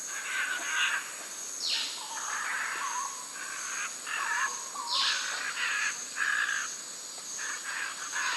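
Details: A group of Scarlet Macaws feeding on nuts in trees in Costa Rica loudly signal their presence to each other: two harsh, raspy squawks about three seconds apart, over other birds' chirps and short whistles.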